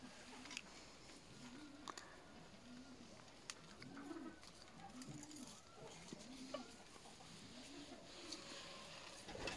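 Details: Juvenile peahens, young female Indian peafowl, giving soft low arched hooting notes, about one a second, each rising then falling, over steady background hiss with a few sharp clicks.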